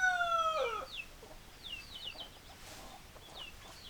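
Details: Chickens, hens and roosters: a loud, steady nasal call holds for about half a second, then drops sharply at its end, followed by soft scattered clucks and quick high chirps for the remaining seconds.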